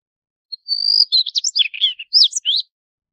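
A Daurian redstart gives a high, thin, drawn-out whistle, then a quick jumble of scratchy, twittering notes lasting about two seconds, with no other sounds.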